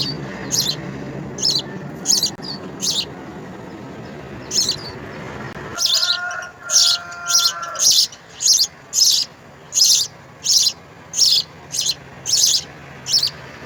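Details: Nestling house sparrows calling while being fed insects: a long run of about eighteen bright, high chirps at a steady pace, with a brief lower tonal sound midway.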